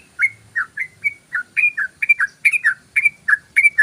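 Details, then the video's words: Yellow-vented bulbul in fast ropel song, used to lure birds: a steady, dense run of bright, bubbly two-part chirps, closely spaced and slightly rising in intensity toward the end. "SUARA BURUNG TRUCUKAN ROPEL"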